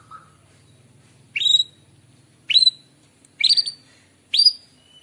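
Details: White-rumped shama singing in the morning, used to lure birds: loud, separate phrases of sharp, high whistled notes with upswept buzzy tones, given about once a second after a faint low hum.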